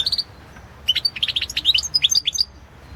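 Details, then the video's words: Goldfinch song entered in the 2016 World Championship in Goldfinch Song: a short opening trill, a pause, then a lively run of chirpy, liquid twitters and high tinkling notes, the background quiet. "Pesma štiglića"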